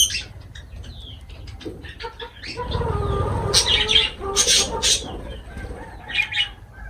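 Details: Pet lovebirds around feeding time, with a short burst of sharp, shrill high chirps in the middle and later. Quieter scattered tweets and low background rumble and handling noise fill the rest.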